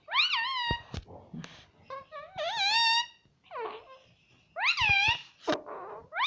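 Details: Caged talking ringneck parrot indoors chattering 'mitthu mitthu': quick harsh harmonic syllables mixed with raspy murmurs and sharp clicks, run together with little pause in a small room.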